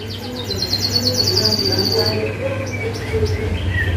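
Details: Canary in full 'gacor' song, rolling fill style for young birds to copy: a fast buzzy trill sliding slowly downward, then scattered thin whistled notes, with a constant low hum beneath.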